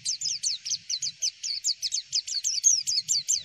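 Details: Javan white-eye song used as a tutor recording to prompt other white-eyes to reply: an even, quick series of high downslurred chirps, about five per second, with faint low rumble beneath.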